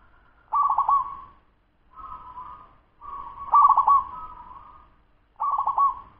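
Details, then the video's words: A 10-month-old local wild zebra dove sings in a fast style. Soft mid-pitched cooing phrases start with a bubbling, stuttered trill and trail into a level purring hum, repeated about every one to two seconds in a quiet setting. "Suara perkutut lokal cepat usia 10 BULAN"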